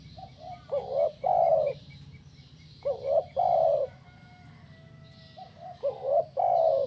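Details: Spotted dove, tekukur kuk 1 style, used to spur other doves to sing: soft lead-in notes, then a rising coo and a long mellow coo, repeated three times against a constant low hum.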